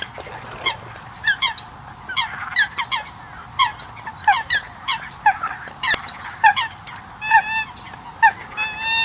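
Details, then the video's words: Eurasian coots give sharp, nasal, honking notes, several a second and overlapping, as though a few birds call together. "Tiếng sâm cầm"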